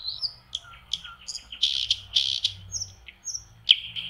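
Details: A common nightingale singing on a lakeshore in springtime May delivers scattered high slurred whistles, low soft notes, buzzy bursts and a sudden sharp crack, with brief gaps between elements.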